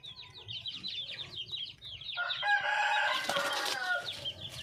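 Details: Wild red junglefowl hen calling for a male: after a run of quick high chirps from other birds, a loud harsh harmonic call with drawn-out notes fills the second half, over a low steady hum.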